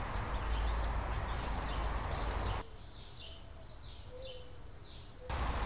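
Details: Scrub jay family at their nest in 2017, a pair with three chicks: a quick run of high thin chirps is heard through a quieter stretch, framed by louder low rumbling noise before and after.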